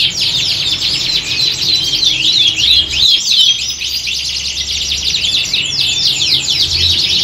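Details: Chorus of canaries recorded to resemble a singing competition, for training: busy high twittering and rolling trills, roughly three phrases a second, continuous over faint low background noise.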